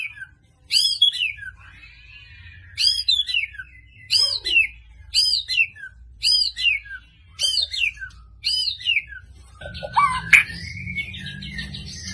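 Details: White-rumped shama from Medan, persistently delivering sharp 'tembakan' shots: a series of about eight short, loud, high whistled phrases, each falling in pitch, evenly spaced roughly every second, ending with a sharp click and a rougher note.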